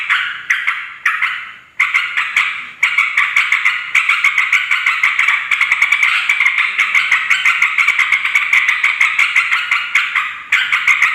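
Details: Noisy chattering of yellow-vented bulbuls, used to call in wild birds of both sexes: several short harsh bursts that build into a long, dense run of rapid clicking notes.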